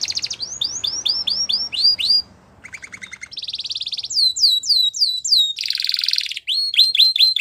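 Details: Canary song used in training young canaries: a series of rising whistled notes, a buzzy rattle, descending slurs, a dense trill and closing upswept chirps, all delivered briskly.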